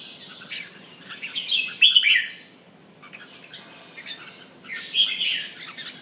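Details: Pumping red-whiskered bulbul sings two bursts of sweet, chattering whistles, about three seconds apart, linked by soft twittering.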